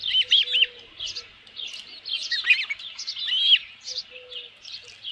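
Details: Osprey at a ranch nest with a headless fish, 27 June 2018 around 12:48 PM; bright high whistled chirps in quick clustered bursts, rising and falling, with brief low steady hums underneath.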